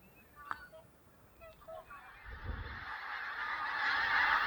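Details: Pink-footed Geese at dawn at Loch of Strathbeg nature reserve, Scotland, a flock of about four hundred lifting off the roost. A few short, separate honks come first, then a dense, rising clamour of massed calls swells and grows louder toward the end.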